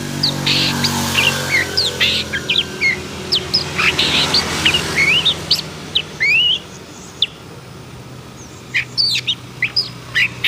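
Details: Long-tailed shrike in an agitated state delivering scratchy rasps and quick whistled upslurs. The calling is busy at first, then sparser sharp notes follow after a short pause. A low hum runs underneath.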